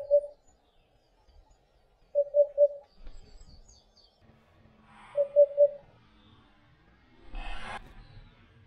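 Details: Hoopoe carrying food to its nestlings repeats a mellow, low triple hoot, oop-oop-oop, three times, with faint high chirps of another bird and a short rustling burst near the end.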